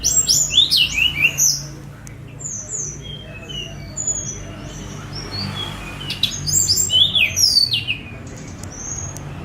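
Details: Free-flying spotted Sunda robin recorded on a phone: dense clusters of sharp, high falling whistles at the start and again midway, with scattered thin single notes between and a low background hum.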